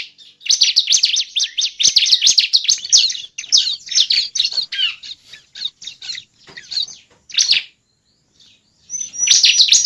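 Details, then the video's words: Ciblek or bar-winged prinia calling in a bird-trapping lure: a dense, jumbled stream of high twittering chirps that thins into scattered notes, a silent gap, then a final loud chirping burst. "pancingan pikat burung cible"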